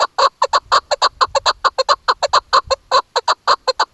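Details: A female chukar partridge, used as a hunting call, gives rapid, harsh clucking notes, about five per second, in an even, steady series with no other sounds.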